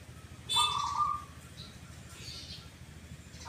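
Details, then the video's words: A zebra dove gives a brief, soft rolling coo near the start, a mellow purring "kuk, kuk" note said to come twice, over a low hum of background noise. "PERKUTUT YANG SUARANYA KUK, KUK /KUK 2 / ( DUA) KALI"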